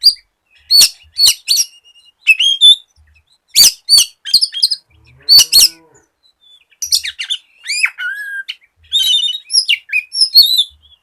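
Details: Oriental magpie-robin song, played as a lure to get other magpie-robins singing quickly: loud separated phrases of sharp clicking bursts mixed with high whistled notes that rise and fall. The phrases are spaced across the recording over a silent background.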